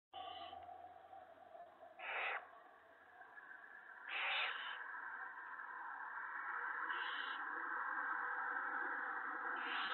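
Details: Owls at a nest on the evening of March 19, 2017, as the male brings a mouse and a rabbit to his mate and owlets. Five harsh, hissing bursts spaced irregularly over a steady background hum.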